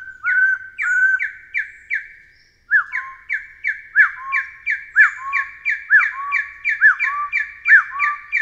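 A Taiwan partridge calls in a loud, steady series of hoarse, upslurred notes, about two to three a second, growing more insistent after a brief pause.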